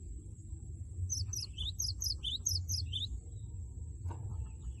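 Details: Cinereous tit in steady singing form, loud 'wucit wucit' song meant to provoke a rival into singing: rapid high two-note phrases with a falling lower note, repeated for about two seconds over a low background rumble.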